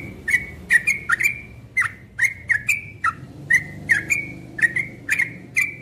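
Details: Cream-vented bulbul singing a lively run of short, bubbly notes near the same pitch, each with a sharp clicky onset, given in quick pairs and triplets roughly every half second, over a faint low hum.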